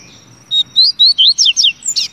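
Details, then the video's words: Double-collared seedeater gives a rapid phrase of whistled notes, rising slurs followed by steep downward ones, then two softer buzzy notes at the end, against a quiet background. "Canto do Papa Capim"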